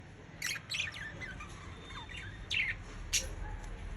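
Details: Budgerigar (Melopsittacus undulatus) chatter: short, scratchy chirps and squawks in scattered bursts.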